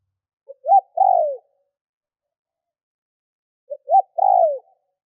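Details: Spotted dove decoy calling to draw in wild doves: just two phrases about three seconds apart, each a faint pickup note, a short note and a long mellow descending coo.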